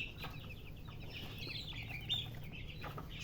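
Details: Chicken (murgi hen) chirping: thin high chirps repeated through the recording, with one clearer rising-falling note near the end, over a low steady rumble.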